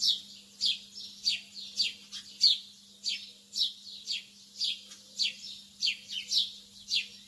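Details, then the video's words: Lovebirds early in the morning giving a brisk string of shrill, falling chirps, some in quick pairs, over a constant low hum. "تغريد طيور الحب في الصباح الباكر"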